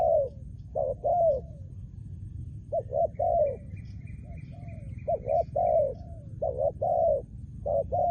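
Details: Spotted dove, a trained decoy, repeating rich low coos in clipped doublets and longer swelling notes, with a thin, higher twittering from another bird running briefly in the background.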